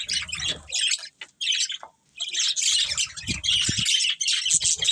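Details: Budgerigars in a colony with a breeding pair, loud bursts of squawky chirping separated by brief silences, plus some low thuds.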